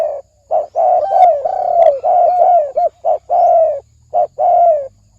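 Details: Almost continuous low spotted dove cooing in the 'thổ sấm đồng' style, meant to attract males, females and wild birds: long, smooth, level-to-falling coos joined by short clipped notes, with brief gaps near the end.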